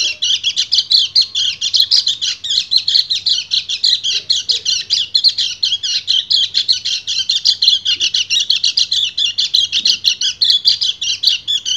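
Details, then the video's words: Male white-eye (kecial kuning) singing a fast chattering ngebren song to call a female in breeding condition; dense, rapid buzzy notes pulse steadily throughout with no pauses. "PLECI GACOR NGEBREN - KECIAL KUNING BIRAHI MEMANGGIL BETINA"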